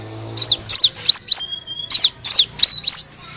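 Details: Sunbird called kolibri wulung, played as a lure to draw birds in: about eight sharp, high chirps, each dipping and rising, spaced roughly every third of a second.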